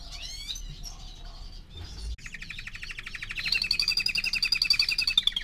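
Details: Canary aged four months singing varied chirps, a short pause, then a fast even trill that climbs into a bright, ringing high roll lasting over two seconds.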